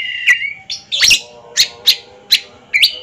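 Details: Oriental magpie-robin in a ring competition duel: a held whistle, then spaced sharp chirps and short bursts about every half second, over a faint low tonal drone.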